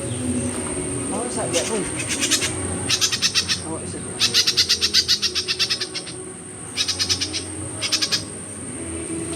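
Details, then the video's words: On 25 December 2022 a myzomela delivers four separate bursts of quick, high, buzzy ticking notes, each lasting about a second, with a steady high hum throughout. "myzomela behavior"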